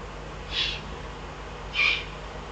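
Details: Eurasian eagle-owl recorded in the Eifel on 22 June 2012: two short, breathy hissing bursts about 1.2 seconds apart, the second slightly louder, over a steady low background hum.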